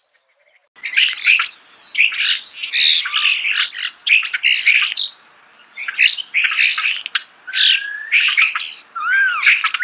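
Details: Close starling song, a dense jumble of harsh squawks, clicks and chattering notes in long bursts, broken by short pauses, ending with a couple of looping whistles.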